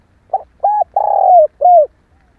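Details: Spotted dove, a female call used to stir males into calling: four low cooing notes, the third long and slightly falling, the last short and downslurred, in a quiet setting.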